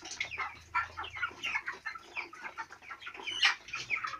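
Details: Four-week-old chicks on a farm, a flock peeping continuously: overlapping short rising and falling chirps, some louder sharp cheeps, steady low hum beneath.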